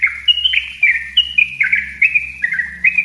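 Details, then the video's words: Lure recording of a yellow-vented bulbul singing: a continuous chain of bright whistled notes, alternating higher and lower pitches with quick downward slurs, about three per second, over a faint low hum. "suara trucuk ropell rapat buat pancingan dan masteran trucuk bahan"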